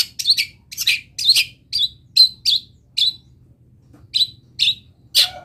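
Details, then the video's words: Chatty Long-tailed shrike song rich in imitated wild-bird notes: high, sharp chips and quick twitters in uneven bursts, thinning toward the end into spaced single notes, with a low steady hum beneath. "CENDET GACOR ISIAN MELIMPAH - MASTERAN CENDET GACOR FULL ISIAN BURUNG LIAR"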